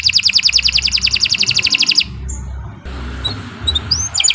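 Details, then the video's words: Canary song meant to make pet birds sing: a rapid even trill for two seconds, a brief lull with a few scattered chirps and whistles, then the trill returns. "Kicau Burung Kenari 151 II LUAR BIASA GACOR PANJANG"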